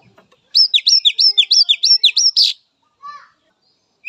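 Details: Characteristic song of a wild Oriental magpie-robin, used to stimulate captive young, spotted or silent birds: about ten rapid, loud, evenly spaced slurred whistles, closing in a rough buzzy note, then a soft lower call.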